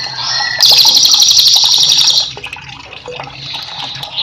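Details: A cililin singing as a master for cage birds: a short whistled note, then a loud, rapid, buzzy trill of nearly two seconds, followed by softer distant trilling and background noise.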